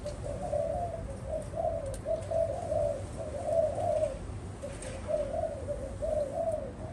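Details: Low, gentle coos from a spotted dove, delivered in short grouped phrases with brief gaps near the middle, against a steady low-pitched background noise.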